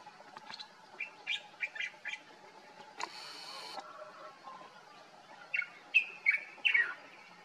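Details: Common bulbul (Pycnonotus barbatus) in Morocco in summer, heard singing every morning; short bright warbled phrases in two bursts of several notes each, separated by a brief rushing noise.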